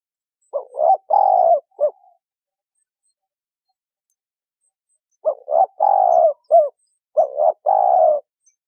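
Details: Spotted dove female calling to excite a male: two phrases of low, hoarse coos, short notes then a longer drawn note and a clipped final coo, separated by about three seconds of silence.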